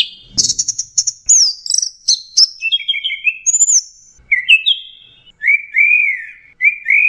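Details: Orange-headed thrush in a varied 'teler' song with blasting phrases: shrill chattering notes, descending whistles, then a series of slurred whistled phrases repeated at a lower pitch.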